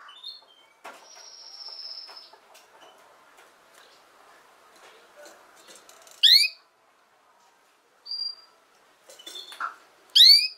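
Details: Canary recording for training young canaries to sing: a long thin whistle and soft background murmur, then loud bright downward chirps. Brief high peeps come between them, and a final strong chirp closes it.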